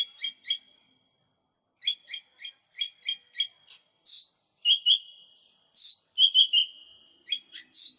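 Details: A lesser green leafbird, recorded as lure and tutor audio, sings bright high chip notes in quick pairs and triplets, then clear slurred whistles dropping in pitch, on a quiet background.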